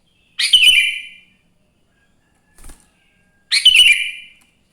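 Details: Morning sooty-headed bulbul song used as a prompt for other bulbuls: two loud, bubbly whistled phrases about three seconds apart, with a soft tap between them and silence otherwise.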